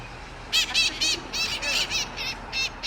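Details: Mitred parrots, a pair with their young on a rooftop in Sunnyvale, on 11/01/2020: harsh, raspy squawks repeated several times a second in uneven bursts, with a steady background hum.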